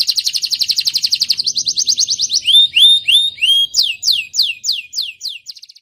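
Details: Young canary in song meant to prompt other canaries to sing: a rapid high rolling trill, then slurred whistled notes and a series of sharp descending sweeps, ending in a brief quick trill, with no background sounds.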